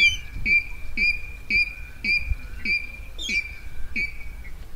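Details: Rail call for night net trapping, 2020: a steady series of short sharp notes, a little more than one per half-second, with one higher squeaky burst partway through, over low hum.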